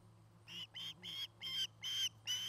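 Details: Osprey at its nest in Charlo, Montana, 2018 nest cam: six evenly spaced, high whistled yelps, about one every third of a second, somewhat distant with low background hum.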